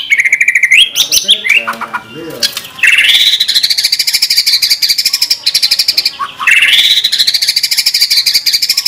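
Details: White-rumped shama in full 'tembakan' song: a steady whistled note and quick twittering, then a long dense trill of rapid repeated notes that slowly rises, followed by a second similar trill.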